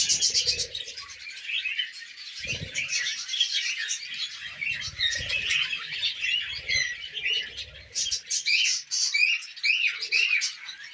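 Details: Tamed budgerigars at millet keep up busy warbled chatter, with fast twittering phrases, sharp chirps and some rising whistled notes standing out late on, plus soft low bumps from movement.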